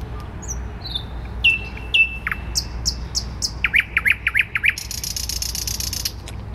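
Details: Thrush nightingale singing in central Warsaw on 12 May 2020: high thin whistles, then sharp downslurred notes, a fast run of about six loud clicking chirps and a closing dry buzzy rattle, over low city rumble.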